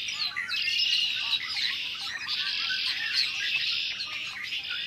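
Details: Dense chorus from a large flock of Red-winged Blackbirds in early March 2010, many voices calling and singing; an unbroken shrill chatter of overlapping chirps throughout.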